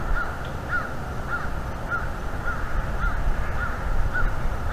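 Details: Bald eagle eaglet at a wild nest in northeast Florida, calling repeatedly while its mother feeds it on the evening of 5 May 2021, from a nest camera; thin high chirps recur roughly every half second over steady low wind rumble.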